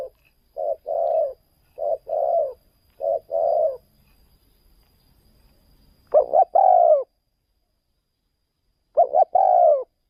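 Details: Spotted dove taken to another province to lure wild doves: three quick paired coos, a quiet gap, then two louder, fuller coo phrases spaced a few seconds apart.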